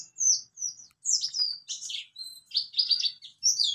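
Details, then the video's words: A mountain white-eye sings a rapid run of high, thin chirps and sweet warbled notes in quick bursts, with brief pauses between phrases. "Pleci Bxtoni juga bisa Ngalas Nembak"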